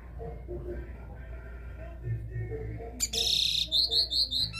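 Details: Caged capped seedeater (caboclinho) in classic three-note song: after low indistinct background sounds, a sudden buzzy burst leads into a series of clear high whistled notes repeated about twice a second.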